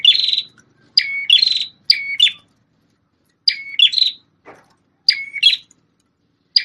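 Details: A red-headed prenjak tamu prinia, a former shama tutor, sings repeated bursts: buzzy chattering notes mixed with short level whistles, grouped in quick runs separated by brief silences.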